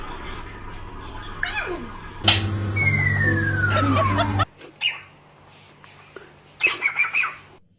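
A parrot makes short chattering, speech-like sounds and a long, clear whistle that slides steadily downward, with a low steady hum and a few sharp bursts near the end.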